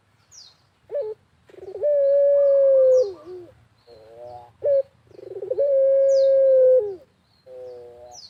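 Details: Barbary dove (puter) cooing energetically in the countryside, used as a lure to set other doves cooing: two long steady mid-pitched coos, each opened by a rapid stuttering roll and followed by short wavering notes, with faint high chirps of small birds.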